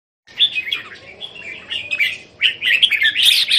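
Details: Caged Red-whiskered Bulbuls, one of three groups kept at a home in Thailand, recorded 27 January 2021: bright warbled chirps and short whistled phrases tumbling over one another, growing louder and busier toward the end.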